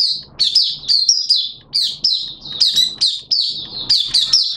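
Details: Oriental white-eye from Malaysia, a hobby songbird, in buka sing (open singing) style: continuous high, sliding chirps and twitters in fast, jumbled phrases, each note dropping slightly in pitch, with faint low hum beneath.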